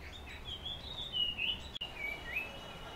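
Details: Morning calling of a puff-throated babbler, with sweet wavering whistles that slide up and down in a continuous phrase, briefly broken by a sharp click midway, against steady outdoor noise.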